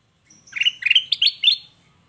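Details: Sooty-headed bulbul, a recording played to make other birds answer. One short bubbly phrase of about five liquid, slightly rising notes packed into just over one second, clear against a quiet background.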